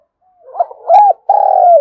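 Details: Spotted dove coo, played to stimulate a wild dove to start cooing: soft rising lead notes build to a rounded hoot, then a long, level, vibrating coo that falls at the end.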